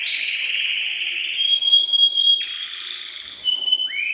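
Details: Caged male canary, excited and singing to stimulate the female for mating, delivers a sustained rolling trill with a steady whistled tone running through it, then drops into a lower trilled section.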